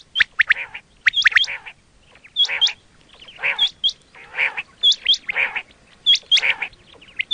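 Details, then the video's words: Quail sound recorded for use in hunting: short phrases of sharp, hooked, whistled notes mixed with harsher, rasping chatter, repeated about once a second, with several birds calling close together. "quail 2024 Fresh sound Batair Ki awaz"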